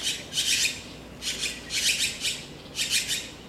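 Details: Taiwan blue magpie raising young, recorded between late April and late May 2013 while nesting, feeding chicks and guarding a fallen fledgling; three bursts of grating, rasping notes, two or three notes per burst, with little else audible.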